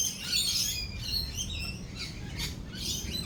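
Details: Lorikeets calling during rolling thunder and lightning: shrill, screechy chattering notes packed densely together, loudest in the first second, over a steady low rumble.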